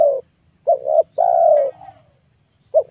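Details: Tekukur, or spotted dove, lure coos for attracting wild, trained, and mute doves: a short double note, then a long drawn-out rolling coo trailing off, and another short coo starting, over a faint high hum.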